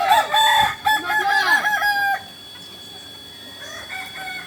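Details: Kokok Balenggek rooster at a joint training session in Ampang Kualo, Solok city, West Sumatra: a loud crow of broken, bending syllables for two seconds, then quiet with a faint distant crow near the end.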